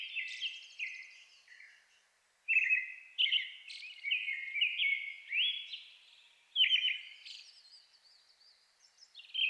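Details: May dusk song of a Brown-headed thrush in highland forest of Shinetsu, Japan, competing with a Japanese thrush nearby; bright whistled phrases mixing level notes and quick rising flourishes, broken by short silences, faint other song behind.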